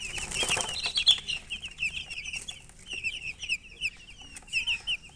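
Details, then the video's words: Baby chicken chicks chirping: many short, high, downslurred peeps overlapping in a steady, busy chorus, with louder bursts and brief lulls between. "MURGI Baby "Chicks Chirping" Sound"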